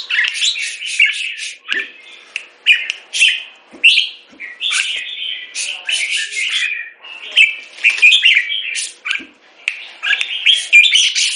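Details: Caged Red-whiskered bulbul from Singapore, molting, sings loud rasping chatter mixed with sweet whistled phrases, in bursts about every second, with soft knocks in between.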